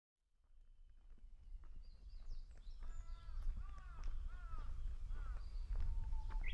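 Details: Japanese bush warbler singing at Kenchō-ji Hansōbō temple in Kamakura, Japan, on 6 June 2020, with many warblers calling. A run of clear, arching whistled notes, then a low steady whistle rising into a sharp high flourish, over crunching footsteps.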